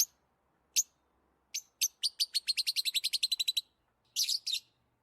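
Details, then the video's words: A lovebird, excited as when playing or eating, gives sharp, high chirps, then a quickening run of about a dozen shrill notes, ending in a buzzy, scratchy burst. "Lovebirds Chirping Sounds"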